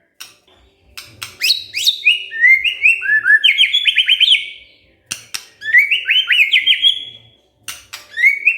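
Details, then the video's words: White-rumped shama, provoked into answering with excited, vigorous song: bright whistled phrases that step and slide between pitches, broken by sharp clicking notes and short pauses between bursts. "tidak nyampe 3 menit murai TERPANCING emosinya, nyaut GACOR"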